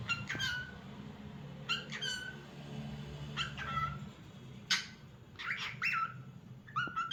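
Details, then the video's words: Pet cockatiel shown singing: short whistled notes and chirps with sharp downward slurs, given in small clusters every second or two over a low household hum. "Adorable Cockatiel Cute Bird 🕊️ Nice Singing Movements"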